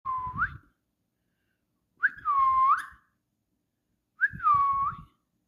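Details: Parrot, possibly a young bird, giving three clear whistled phrases. Each starts with a short rising note, holds a steady mid-pitched tone, then ends with a quick upward flick. The phrases come about two seconds apart, with soft rustling underneath, indoors.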